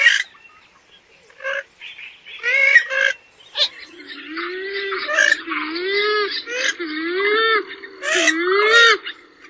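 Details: Purple swamphen calling: a series of nasal, honking notes with stacked harmonics. Some rise and then fall, and they come in bursts separated by short pauses.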